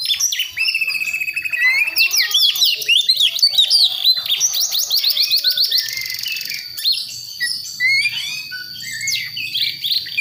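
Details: West Javan Priangan White-rumped shama, a young wild-caught bird learning its song, pours out fast chattering rattles, rapid descending slurs and high squeaky notes in a nearly unbroken stream.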